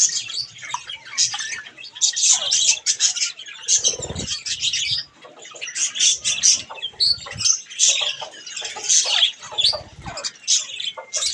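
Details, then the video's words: At bath time, pet budgerigars keep up scratchy chirping and warbling while wings flap and splash in bursts, with a low fluttering thud around the middle. "Budgies Bath time"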